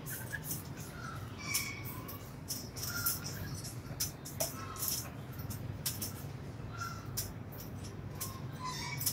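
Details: A captive Black-throated laughingthrush from Cao Bằng gives short, clear whistled phrases every second or two, some rising and some falling, over a steady low rumble and scattered clicks.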